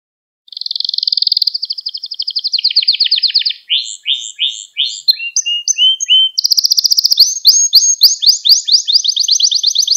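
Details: Canary song used to train young canaries: after half a second of silence, a fast even roll of high notes, a lower rattling trill, repeated paired chirps, then a loud rapid series of sweeping trilled notes to the end.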